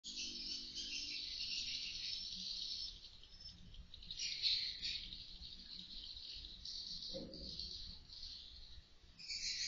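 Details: Many swiftlets recorded by an indoor camera inside a swiftlet house chatter together in a dense, continuous wash of high, buzzy twittering that never pauses; a faint low hum runs underneath at the start.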